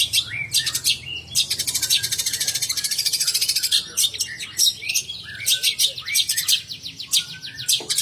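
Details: Long-tailed shrike (cendet) from Banyuwangi singing a fast, scratchy, high chatter: buzzy trills and sharp chips pour out in quick runs with short pauses. A low hum sits underneath.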